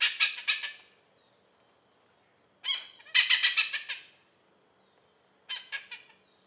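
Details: Oriental pied hornbill in Malaysia uttering three bouts of raucous cackling, rapid rasping notes trailing off, with a steady high faint tone in the background.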